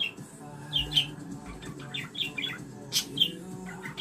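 A budgerigar warbles in quick chirps and chattering squeaks, with a faint low hum beneath.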